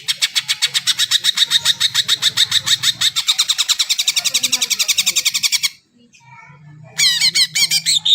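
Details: Greater green leafbird in full song, played to spur silent birds into singing: a fast run of sharp, evenly repeated chipping notes for nearly six seconds, a short pause, then a burst of bright rising whistled notes, over a low hum.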